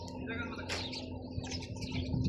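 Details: Sparrows chirping: a busy jumble of short, high, twittering chirps over a steady low electrical hum, with one brief louder burst early on and faint human voices nearby.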